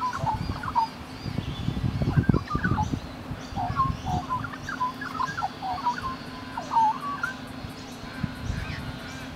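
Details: Australian rainbow lorikeets cuddling and grooming one another; soft squeaky chattering notes, some with sharp upward flicks, scattered throughout, mixed with low thumping and rustling sounds early on and a steady hum.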